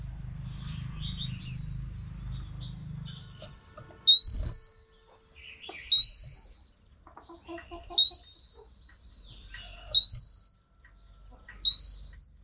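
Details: Female Oriental magpie-robin used to stimulate male birds to sing: a clear rising whistle ending in a flick, repeated every two seconds, five times, after a faint low rumble.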